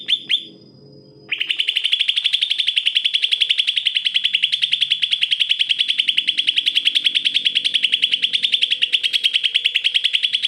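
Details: Greater green leafbird song used as a tutor for birds that are lazy to sing: after a brief pause, a long, unbroken run of fast, high, buzzy trilled notes repeated several times a second, loud and steady.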